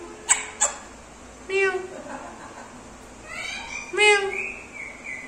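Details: Indoor pet Indian ringneck parakeet talking, imitating a cat and saying its name; two sharp clicks, then a short voiced syllable and a longer wavering, upward-sliding call near the end.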